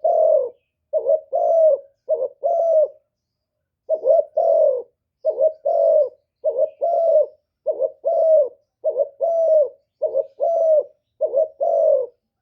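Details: A caged decoy spotted dove, used to provoke and lure wild doves, coos in a long steady series of double phrases, a short note then a longer mellow coo, about one phrase per second.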